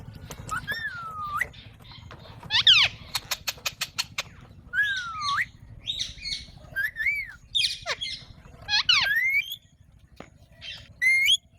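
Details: Varied run of sounds from an Alexandrine parakeet: drawn-out whistled notes that fall then rise, a quick string of clicks, and several grating squawks, with low hum beneath.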